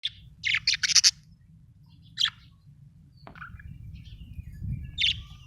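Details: Happy budgerigar chirping: short bright high chirps in a quick cluster near the start, then single scattered chirps at about two, three and five seconds over a soft low hum.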